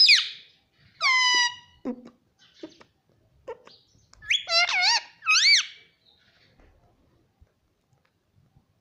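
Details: Indoor pet parrot of the ringneck kind imitating the words mummy and mitthu: sharp squeaks and a downward-sliding call, then scattered clicks and two loud, arching, wavering calls close together.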